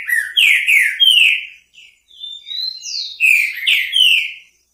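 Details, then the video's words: Trinca-ferro (green-winged saltator) in repetidor song, a clear whistled phrase sequence: a burst of bright slurred notes, a brief lull with softer rising whistles, then another loud cluster of descending whistled phrases. "TRINCA FERRO REPETIDOR BICO FOGO"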